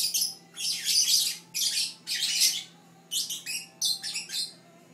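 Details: Caged Fischer's lovebird chirping away: loud grating bursts of high chirps in quick succession, the later ones shorter and more clipped, with a faint electrical hum underneath.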